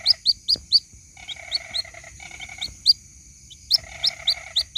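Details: Calls of a white-breasted waterhen chick seeking its mother, recorded as a lure: clipped high peeps in small groups, interrupted by lower buzzing rattles, over a faint continuous high tone.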